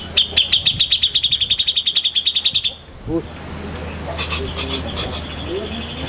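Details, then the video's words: ['Grey-cheeked bulbul, a prized master bird for other birds to copy: a steady, rapid string of about twenty clear, pinging notes. Afterwards there is one lower note, faint chatter and a steady hum.'] "Cucak Jenggot Istimewa, Burung Master kesayangan"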